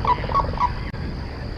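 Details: Cranes at dawn on the Mississippi River flyway, 11 September 2021, jumping while flocks of birds fly over; three short, clipped, nasal calls in quick succession within half a second, followed by a steady background hum.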